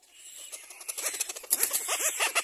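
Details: Little black cormorants, both adults arriving together at the nest with their young; a rapid stream of short, arched, harmonic notes that grows denser and louder after the first second, over steady high-pitched hiss.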